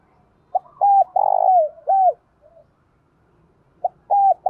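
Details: Decoy spotted dove, 'thổ đồng' voice: a longer phrase of short coos, a long burry coo and an extra arched falling note, then a fresh phrase starting after a pause.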